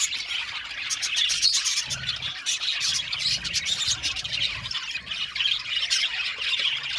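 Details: Aviary colony of Australian budgies keeps up a constant high-pitched chirping chorus, thick overlapping squawks and twittering, with a faint low rumble underneath in places.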